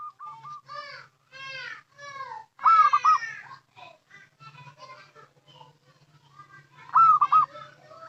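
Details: Local zebra dove, used as a lure call. Two loud, cooing phrases, each a rolling coo breaking into quick notes. Other overlapping sounds fill the gaps: stacked, voice-like tones and scattered chatter.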